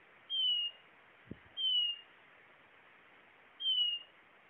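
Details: Blue-naped chlorophonia whistling three times, thin falling notes spaced about one and a half to two seconds apart, plus one soft low tap.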